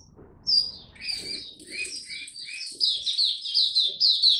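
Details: Young caged white-eye, Dagger type, Singapore, 9 February 2022, song still maturing: varied high chirps and lower slurred notes, then a rapid bright twittering run, with some soft fluttering or rustling below.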